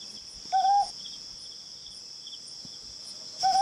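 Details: Ryukyu scops owl recorded in July 2020 giving two brief, pure hooting notes about three seconds apart, each short and level, with a constant shrill insect drone behind.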